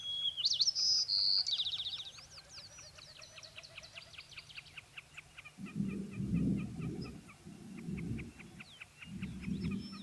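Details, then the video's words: White-crowned sparrow song played back, opening with high clear whistled introductory notes, then a long, fading series of buzzy trilled notes; low rumbling bursts from people in the room follow. "so let's listen to the white crowned sparrow"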